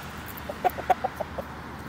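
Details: Orpington chickens clucking: a quick run of about seven short, soft clucks spaced over roughly one second, above a steady background hiss.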